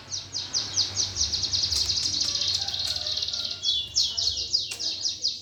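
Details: Cucak ijo, the greater green leafbird, giving a fighting sparrow-style song used to goad contest birds into singing. Fast series of high, downslurred whistles runs continuously over a low background hum.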